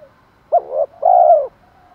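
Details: Spotted dove decoy calling in the 'thổ pha thúc đấu' style, used to lure wild doves: a short clipped coo followed by a longer, louder, smooth low coo that slides slightly downward, over quiet background.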